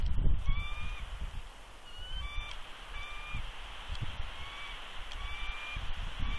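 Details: Bald eagle on its Big Bear nest, 3.2.20, voicing warnings at an intruding adult eagle: a run of quick, thin whistled notes repeated roughly four per second, softer than the background wind and rustling.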